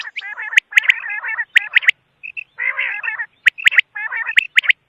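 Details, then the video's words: Quail calling in a series of harsh, harmonic chattering bursts mixed with short sharp high notes, with brief pauses between bouts. "Batair ki awaz|quail sound"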